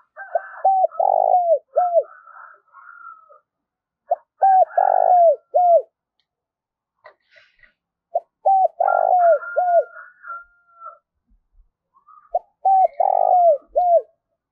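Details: Decoy spotted dove repeating its calling phrase to lure wild doves. Four rounds of low hooting coos, each with a longer rolling note near the end, come every three to four seconds. Faint chirps from other birds are heard between rounds.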